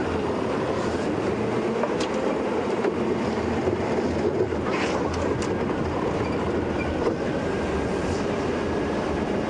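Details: Loud, steady rumbling drive noise with rattles and a few clicks, with no animal calls.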